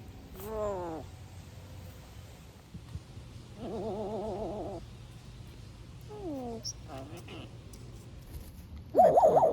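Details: Pet African grey parrot, a noisy talker, making a string of varied sounds: a falling warbled whistle, a wavering trilled tone, sliding whistles and a short harsh squawk, spaced by quiet gaps indoors.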